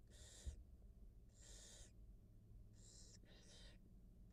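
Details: Wild barn owl mother feeding her two newly hatched nestlings on a live nest cam; drawn-out breathy hisses, some doubled, repeat over four seconds, with one soft knock near the start and faint hum.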